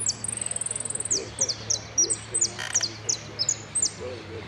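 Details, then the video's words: Saffron finch delivering "El Cristalino" song, with prio, golpe and pitadas: it opens with a rapid buzzy trill of about twenty notes, then spaced shrill downslurred whistles; a brief noisy burst midway. "JILGUERO AUDIO"EL CRISTALINO" ( prio,golpe y pitadas)"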